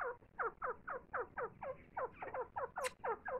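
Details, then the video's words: A grey francolin feeding its chicks gives a quick run of short, harsh, down-slurred notes, about four each second; a brief thin chirp sounds near the end. "دکھنی تیتر کی آواز تیتر اپنے بچوں کو خوراک دیتے ہوئے"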